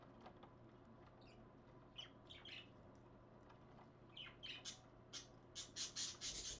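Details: Two parakeets, filmed live at 5:20 AM on 30 January 2015, give short, scratchy chirps and squawks in quickening bursts, growing louder toward the end over a steady low electrical hum.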